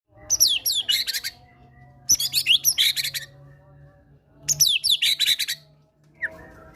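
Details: Caged White-rumped shama, a fighter bird, singing a lure song packed with imitated Java sparrow material, meant to prompt sluggish birds to sing; three bursts of rapid whistled and buzzy high notes, each about a second long, separated by pauses.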